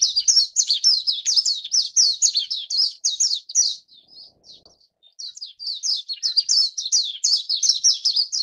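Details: Japanese White-eyes feeding chicks give thin, very high chirps in a fast, busy chatter that dips briefly midway, then resumes just as densely.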